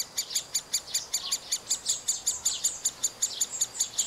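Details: Young middle spotted woodpeckers, fed at the nest hole by both parents, repeat bright, very high piping squeaks at a steady pace of roughly three per second, clean and regular throughout.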